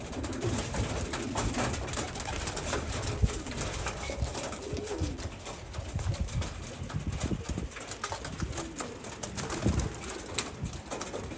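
Homing pigeons coo in low, soft, throaty murmurs that overlap and repeat, with a steady background hiss and occasional rustling or wing noise.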